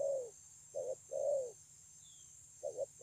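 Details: Spotted dove, recorded 9/6/2020, coos low and mellow: a falling hollow note, then a short doubled coo and a long drawn-out coo, with another short double coo near the end; faint thin whistle of another bird in the background.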